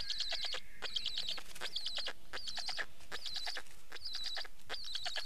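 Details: Rhythmic rasping series from a black stork, grouped into clusters of quick pulses with a hissy overtone, a new cluster arriving roughly every second, plus a soft thin whistle near the start.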